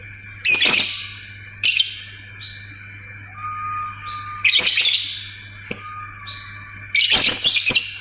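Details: Lovebird giving ngetik and ngekek chatter: loud harsh broadband bursts about every two to three seconds, with short rising whistled notes between them and a steady low hum underneath.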